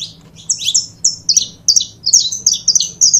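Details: Pair of saffron finches, a recording for firing up other birds, with sharp, slurred high notes in quick succession, some downward-sweeping, over a steady faint hum.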